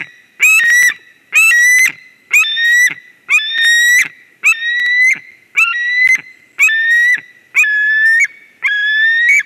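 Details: White-tailed eagle on a nest in Durbe, Latvia, 13 August 2023, as a ringed stranger flies in; loud, harsh, whistled cries with a rising note each, about one per second, separated by short silences.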